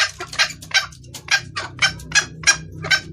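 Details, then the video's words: Female red junglefowl calling for the male, a lure sound: fast, harsh clucks, some paired, about three per second, over a noticeable low droning hum. "Suara ayam hutan betina gacor pangil pejantan"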